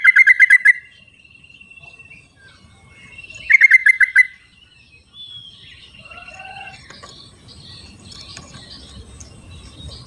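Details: Yellow-vented bulbul in its wild habitat, recorded as a calling lure for birds that won't sing. Two short bursts of rapid bright notes are followed by scattered soft whistles and a rising background hiss.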